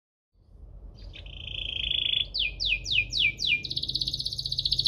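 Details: Lively canary singing a chirping, rolling song meant to lure canaries that are slow to sing: a buzzy sustained trill, then a run of downward-slurred whistles, ending in a rapid high pulsed trill.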